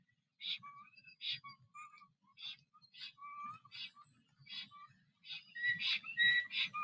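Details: Male black stork singing at its nest in Puszcza Notecka on 17 April 2023, returning after another stork had occupied the nest. Rhythmic wheezy bursts alternate with short low whistled notes, about three per second, growing louder and denser toward the end.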